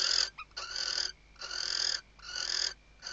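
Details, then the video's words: Female western barn owl on a nest webcam at Riet Vell reserve, Ebro Delta, Tarragona, Spain, 2023 season, calling the male while stuffing the nest: four long harsh hissing screeches, each about half a second, separated by short pauses. "Atusando el nido y llamando al macho · Stuffing the nest and calling the male"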